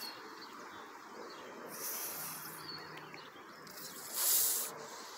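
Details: Parent geese, angry and defensive, give two breathy, rasping hisses at a person at Thornhill Pond, the second hiss louder, against a steady background hum.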